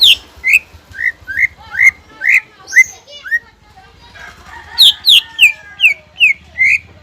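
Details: Greater green leafbird song meant to excite untrained birds into singing: uneven, varied downslurred whistles with some higher sweeping notes, a mid-clip lull, then a quick run of falling whistles over a low hum.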